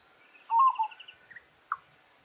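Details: Peaceful dove calling from an open branch at Kinchina Conservation Park, South Australia, on 25 September 2021, gives a soft, mellow cooing phrase then two brief separate notes, with a faint high twitter from another bird behind.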